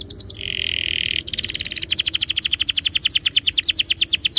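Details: Canary singing a masteran lure to get other canaries to trill: a few high notes, a steady buzzy tone, then a long even rolling trill of rapid repeated high pulses.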